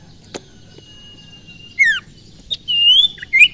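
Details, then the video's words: Sirpu (sirtu) songbird song used to provoke other birds into singing; sharp ticks, a long thin whistle, then loud downslurred and upswept whistled notes in quick succession, with quiet background. "burung sirpu/sirtu dorong burung lain jadi emosi dan gacor"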